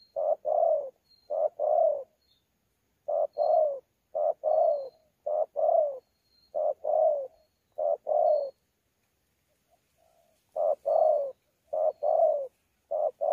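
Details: Spotted dove in thổ pha contest voice with gù, wild-caught, Sa Thầy, Kon Tum, 2019. Long run of hollow paired coos, a quick note then a longer falling one, repeated steadily, broken by one short pause.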